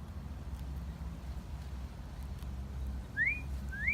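A parrot gives two clear, rising whistles in quick succession, a wolf whistle, after a stretch of low indoor rumble.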